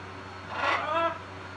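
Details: A pet macaw talking during its evening preen gives one short, hoarse, speech-like utterance lasting about half a second, with a faint steady hum in the background.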